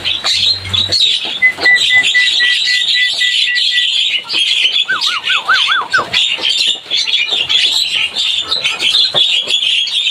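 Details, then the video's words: Javan myna chirping busily: a steady string of short, even, level whistled notes, then a quick wavering, warbled whistle, all over continuous harsh, buzzy chatter. "Suara burung jalak kebo cuitannya bikin rame."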